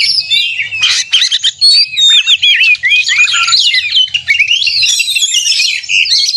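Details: Kacer (Oriental magpie-robin) singing a heated 'narung' fighting song meant to rile other magpie-robins; rapid tumbling mix of clear whistled slurs, rising and falling notes and scratchy bursts, barely pausing across the clip.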